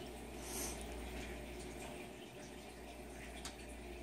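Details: Indoor background hiss with faint watery bubbling and a low hum, with no animal sound present.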